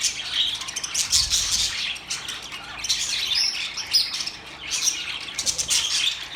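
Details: Budgerigar song, rapid scratchy chirping and warbled squeaks with short buzzy squawks, plus a low soft thump near the start.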